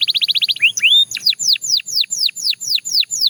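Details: Belgian canary opens with a quick stutter of short notes, adds two rising slurs, then a run of ten evenly spaced arched whistles.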